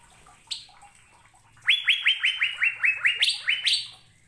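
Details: An Asian fairy-bluebird sings spiritedly. After a lone high note and a quiet gap, a fast string of about ten ringing, upward-flicking whistles follows, with the last few notes jumping higher.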